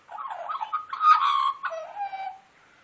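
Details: Wild Australian magpie singing while wanting breakfast, made to sing first: a warbled, fluting run of tones that rises and wavers, then ends in a lower drawn-out note, with faint music behind.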